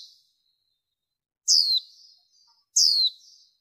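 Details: Female warbling white-eye, in a noise-reduced recording used in 2023 to excite males and lure wild birds. Two loud, high, downward-sweeping notes over a second apart, each fading into a soft buzzy trill.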